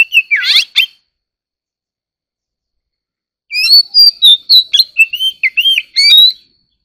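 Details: Dueling song of an Oriental magpie-robin: a raspy, downward-twisting burst, three seconds of silence, then a lively run of clear whistled notes that rise and fall, about four per second.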